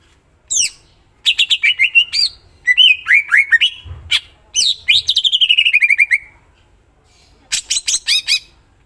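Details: Greater green leafbird in full, active song: bursts of rapid, sharp repeated chirps, four to eight at a time, alternating with clear descending whistled phrases and slurred notes, broken by short silences.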